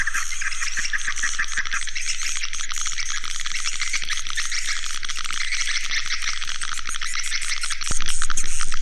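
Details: Swiftlet call used as a lure to draw swiftlets in, a continuous rapid high-pitched chattering and chirping, steady pulses about four per second, with a persistent low hum that grows louder in the final second.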